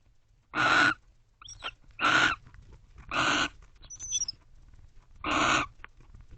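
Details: Barn owls at a nest box around 12:30 am, 30 November 2023, one joining its mate on guard: four loud, hoarse screeches at uneven intervals, with faint squeaks and a thin high whistle between them.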